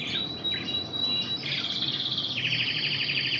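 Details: Intense red canary trained in Spanish Timbrado song: a clear high sustained whistle, then a dense rapid rolling trill that drops slightly in pitch and continues to the end.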